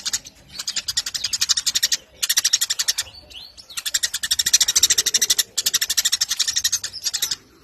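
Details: Eurasian tree sparrow chattering in bursts of fast, high, scratchy chirps, each burst lasting about a second or two and separated by short quiet gaps.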